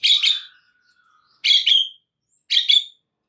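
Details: White-rumped shama in a master recording meant to excite other shamas into singing: three harsh, chattering double bursts roughly a second apart, with a faint thin whistle trailing after the first.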